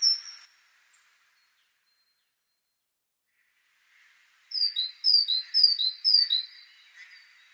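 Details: Great tit (Parus major) delivering a rhythmic run of alternating high and lower whistled notes, a see-saw teacher-teacher pattern repeated four or five times after a quiet start.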